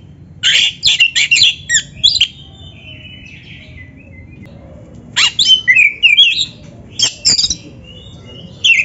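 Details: Oriental magpie-robin singing briskly, used as a training recording for other magpie-robins: two bursts of rapid, shrill chirps and sweeping whistles about five seconds apart, then trailing slurred notes, over a faint low hum.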